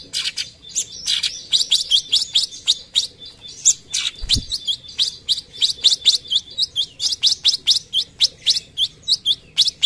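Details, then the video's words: Cucak cungkok singing vigorously in "tembakan" style: a long run of quick, scratchy chip notes, steady at first, then accelerating into a rapid rhythmic series with one faint low thump midway. "Masteran tembakan cucak cungkok gacor"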